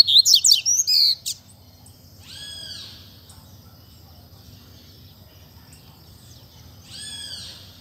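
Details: Caged double-collared seedeater with fibra-style singing: a brief burst of fast, high, chattering notes, then two faint, downslurred whistled calls several seconds apart.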